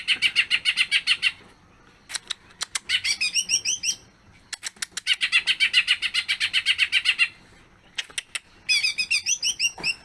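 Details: Greater green leafbird singing long with mimicked phrases. Bursts of rapid raspy chatter alternate with clicks and quick sweeping whistled notes over about ten seconds.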